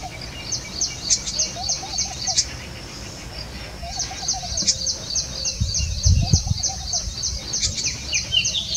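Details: Two Little Green Bee-eaters perched on a branch in Jhalana, looking for food, give rapid bursts of high, thin trilled notes over softer, lower piping and a low background rumble.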